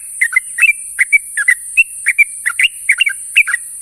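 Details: Yellow-vented bulbul (trucuk) calling to companions in the morning: quick bubbly chirps and short slurred whistles, often in pairs, packed closely over four seconds, with a steady high hiss throughout.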